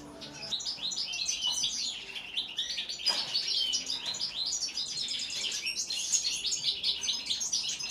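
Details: European goldfinch singing: a fast, unbroken stream of bright tinkling twitters, liquid trills and short buzzy notes, high-pitched and continuous for the whole stretch, with a soft click just past the three-second mark.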